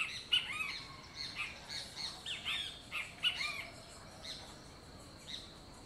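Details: Great kiskadee singing on a winter morning: a busy run of loud, arched, slurred notes, often in quick pairs, repeating every second or so, with overlapping calls and faint chirping in the background.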